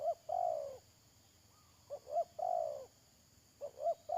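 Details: Decoy spotted dove calling to draw in wild doves for trapping, late May 2022. Quick hiccuping double notes lead into a drawn-out, soft, downslurred coo, repeated twice with a faint constant background hiss.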